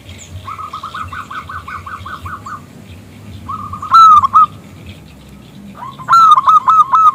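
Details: Zebra dove of local stock calling a male to sing, its voice loud and crystalline: a fast run of about ten hooked coos, a loud rising note with brief coos after it, and a final burst of loud rapid coos.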